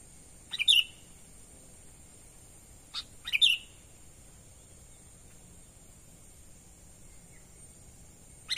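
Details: Natural call of a sooty-headed bulbul, a sound used for luring wild birds: short sharp chirp bursts spaced several seconds apart, separated by quiet stretches with a steady high-pitched hiss in the background.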